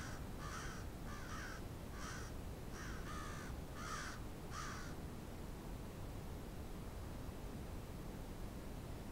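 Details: Crows of a big flock in Moncton, New Brunswick, on Steadman Street give a run of seven or eight hoarse caws in quick succession, then fall silent, leaving only low traffic-like rumble.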